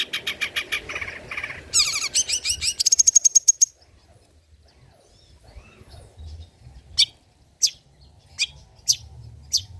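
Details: Long-tailed shrike (cendet) old-style song material for lure and tutor use: a buzzy, rattling harsh series that speeds into a fast trill, then near silence broken by sharp isolated high clicks.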